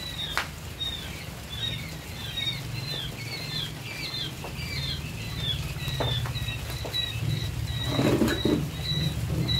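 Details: Day-old quail chicks (DOQ) kept in a coop at a laying-quail farm, giving many thin high peeps in overlapping chorus, with steady low hum and a few knocks in the background.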